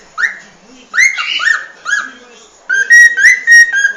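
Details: Cockatiel song with swooping whistled notes, some rising then dipping, then a steady run of level whistles repeated about three per second, over a low humming background.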